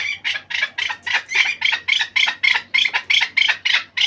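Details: Chukar partridge (Pamir kabk) calling in a fast, sharp series of higher, grating chuck notes, more than three per second, evenly loud and slightly uneven in spacing, over a faint low background hum.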